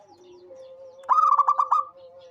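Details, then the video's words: Single rolling coo phrase from a local zebra dove praised for calling often: a sharp start, then about five quick, pulsing notes, over a steady faint tone from another bird. "SUARA perkutut LOKAL gacor cocok buat pancingan rajin bunyi"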